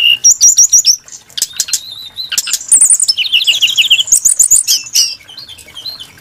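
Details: A Brown-chested jungle flycatcher sings a varied, melodious song of rapid high trills, clear sustained whistles and quick warbled runs, mixed with sharp clicks between phrases.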